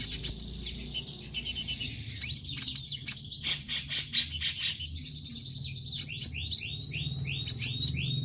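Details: A konin sunbird sings to stir other birds into song. A long, high-pitched twittering trill gives way to a series of quick downward-swept chips repeated about twice a second near the end.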